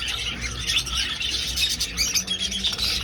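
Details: In an old aviary, budgerigars fill the air with dense, scratchy high chattering and squawky chirps from many birds at once.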